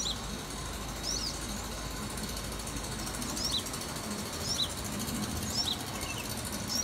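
A young sunbird gives thin, high chirps, roughly one a second, over a steady hiss of background noise.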